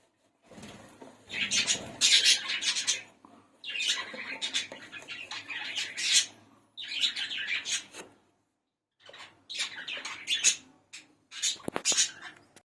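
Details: Budgerigars, pet lovebird-type parakeets, in bursts of busy high chattering and chirping, several seconds each with short pauses between, a scratchy squawk near the end.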